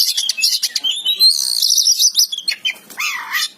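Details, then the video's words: Oriental magpie-robin in a continuous stream of high chattering song and shimmering trills, ending in a lower slurred, dipping whistle. "Suara burung kacer gacor"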